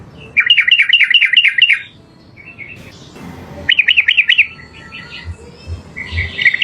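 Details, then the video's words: Yellow-vented bulbul in a training recording for other birds: a quick series of bubbly, liquid mid-pitched notes, soft chips, then a further trilled phrase, with faint low knocks in the background. "MASTERAN SUARA BURUNG TRUCUKAN GACOR"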